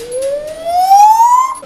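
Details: Coco, a rescued pet bird, prompted to "do fire engine", imitates a fire engine siren with one smooth, pure whistle that climbs steadily in pitch for about one and a half seconds.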